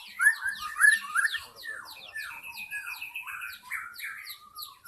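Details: Wild forest white-rumped shama song used as a lure to attract wild shamas: a rich run of varied whistled phrases, slurred upward and downward notes and loud bursts early on, with softer sustained whistles after.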